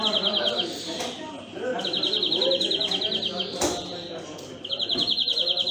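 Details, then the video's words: European greenfinch delivering three bursts of quick, rattling trills, each around a second or more, separated by short gaps, with continuous conversation from people nearby and a few clicks. "Greenfinch Song"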